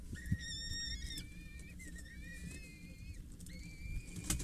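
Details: Nestling peregrine falcons, 6-8 days old, four in the brood, fed by a parent at the Scheveningen water tower on 8 May 2023: a run of thin, slightly rising whistled squeals, a few sharp knocks, low rumble behind.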